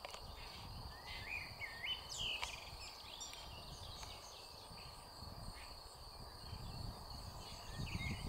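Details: Red-backed shrike (Lanius collurio) at Hauptmanca, Ljubljana Marsh, Slovenia, 20 May 2023, giving short, scratchy chirps and twittering notes at an irregular pace, with a steady low rumble of wind and distant noise underneath.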